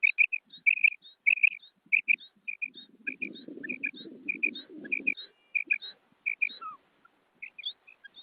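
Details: Calls of a female common quail: quick runs of high, clipped paired notes with faint squeaky chirps above, and a low rumble partway through.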